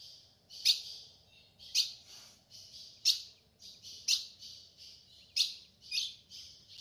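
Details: In the Brazilian sertão, a female ultramarine grosbeak calls to get the male singing, giving a steady run of sharp chips roughly once a second, each trailing into a hissy, buzzing high tone.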